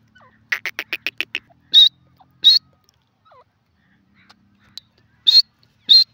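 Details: Grey francolin with a fast stutter of short, sharp notes, then a few louder, strident, separate calls spaced well apart, with quiet gaps between them.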